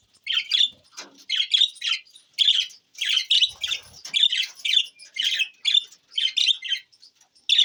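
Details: Budgie parrots on June 20, 2024 trading rapid chirps and harsh little squawks, bursts roughly every half second, bright and scratchy, with no other clear sounds.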